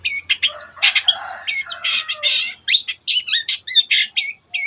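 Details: Energetic long-tailed shrike song of the 'teot teot' kind, used to stir other birds into song: harsh rasping chatter blends into quick twisting whistles and clipped notes, delivered almost without pause.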